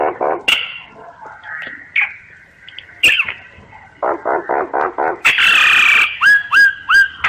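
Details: Common myna in full song, mixing gurgling slurred notes, a row of harsh nasal pulses, a loud rasping burst and three clear whistles that rise and then hook downward, with a few sharp clicks between.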